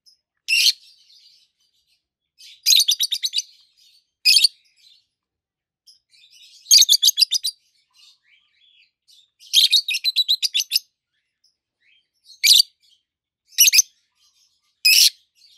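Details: Two adult peach-faced (rosy-faced) lovebirds, both green, one red-faced and one yellowish-white-faced, give shrill, harsh screeches, some single and some in rapid stuttering runs of six to ten notes, every one to three seconds.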